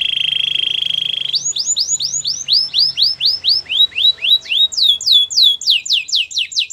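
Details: Belgian canary singing a training song: a steady rolling trill opens, followed by a run of bright rising whistled notes, about four per second, stepping lower then jumping higher into quicker slurred phrases.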